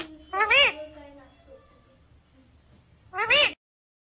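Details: Pet parrot that talks, saying "mummy papa"; two short, loud, nasal speech-like syllables with arched, rising-then-falling harmonics, separated by nearly three seconds of quiet.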